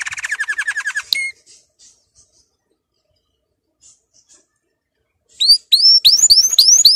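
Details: Canary training song: a rapid rolling trill that opens the recording, a long near-silent pause, then a series of sharp rising whistles repeated quickly.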